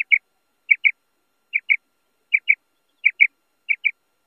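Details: Female common quail (Coturnix coturnix) calling: soft, high, paired chirps, double notes repeated about every 0.8 seconds on an otherwise silent background.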